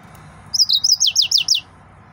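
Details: Excited male yellow-fronted canary singing a quick run of about seven high, sharply down-slurred notes in just over a second, each note bright and chirpy, with a faint low hum underneath.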